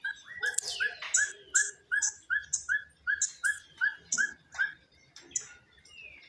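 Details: Elf owl singing in winter: a steady series of short, yelping, slightly rising mid-pitched notes, about two to three per second, with higher chirps and twitters of other birds overhead.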